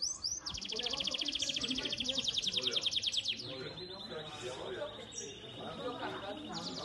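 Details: Belgian canary, a domestic bird, in a seventh-edition singing contest: a rapid pulsed trill of about three seconds, then a smoother sustained rolling tone that ends in a higher, sharper burst, with a quiet room murmur behind.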